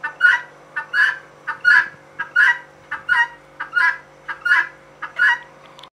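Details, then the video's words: Loud, close calls of a female guineafowl: repeated paired notes, a quick clipped syllable and a longer harsh grating one, coming about every 0.7 seconds, eight times, with a low background hum. "Female guinea calling/sound"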